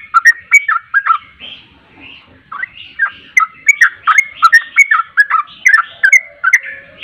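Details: Sooty-headed bulbul singing on a lure track meant to trigger replies: a few sharp whistled notes, a soft quieter stretch, then a lively string of rolling, slurred phrases repeated in quick succession.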